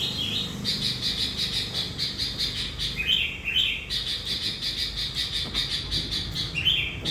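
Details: Lure sooty-headed bulbul in full gacor voice, credited with luring hundreds of wild bulbuls; long bursts of fast pulsing chatter with a few short whistled phrases between them.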